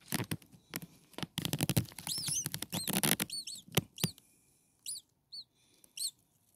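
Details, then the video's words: Six hungry common starling nestlings, a few days old, in a nest: thin high arched squeaks, several in quick succession, after a stretch of loud rustling and scratching in the nest. "Hungry Six Starling baby birds"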